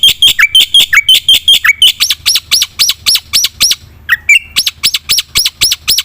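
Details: Black-winged myna singing in the full-fill gacor style to lure quiet birds into song: quick piercing notes with dropping slurs, then slower, sharply rising notes about three per second, briefly interrupted midway.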